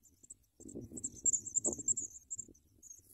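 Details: Baby Sprague's pipits being fed big worms: shrill, high squeaking notes run together in a quick burst, with muffled rustling and movement beneath.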